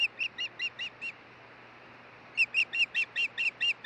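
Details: Wild osprey calling at the Hellgate nest in Montana, June 16, 2013, during a nest changeover after a stick delivery. Six piercing whistled chirps, a silent gap of over a second, then eight more in quick, even succession.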